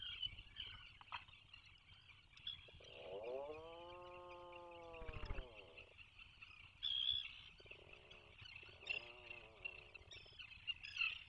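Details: Atlantic puffin in a nesting burrow 21 miles off the coast of Maine, breeding season 2024: a drawn-out, low groaning call with rich harmonics midway, plus shorter buzzy moans, over a steady high chatter of other seabirds outside.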